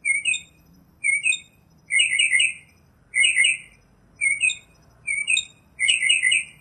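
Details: Singing in nature, a northern mockingbird delivers burry, buzzy double notes with a thin high tick above, repeated roughly every 0.7 seconds in a slightly uneven rhythm, varying between rough and clearer versions.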